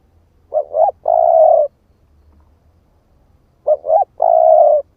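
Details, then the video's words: Spotted dove ('ức chẻ' type) cooing to lure other birds: two phrases about three seconds apart, each a quick two-note rising lead-in and a sustained mellow low coo, otherwise quiet. "Chim cu gáy ức chẻ thúc kích mồi | Tiếng chim cu gáy kích bổi"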